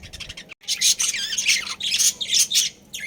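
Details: Budgerigars in a breeding colony with a loud, continuous warbling chatter of buzzy, high squeaks and trills after a brief pause, several birds overlapping.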